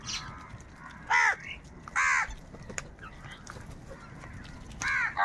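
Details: Crow, described as angry and fighting for food, gives three loud, harsh caws about a second apart, each rough and nasal, over a low background hum.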